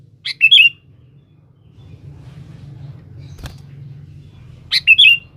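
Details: Sooty-headed bulbul calling a rival, used as a lure: two short liquid, warbling phrases at the start and end, with a sharp click and low rumbling hum in between.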